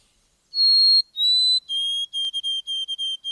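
White-throated Sparrow song: two long, pure whistles, the first loudest and highest, then a quick run of shorter whistled notes on a lower pitch.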